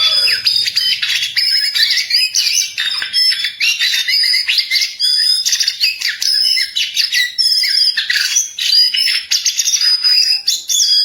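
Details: Jongkangan singing steadily in the wild, a long run of rapid, overlapping twittering and chirping notes with thin rising whistles.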